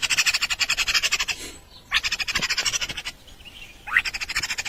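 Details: Nestling birds in a nest begging for food: rapid trains of buzzy, high-pitched pulses, broken by short pauses and rising sweeps.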